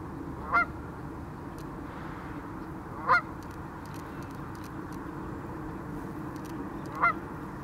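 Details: Canada goose swimming on a lake, then spreading its wings and flying away; three short, nasal honks spaced a few seconds apart, each with a quick upward inflection, over a steady low background rumble.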